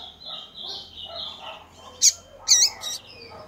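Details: Female coleiro (double-collared seedeater) calling to stir up males. Three sharp, high chips come close together near the end, after a stretch of soft, thin, high whistled phrases in the background.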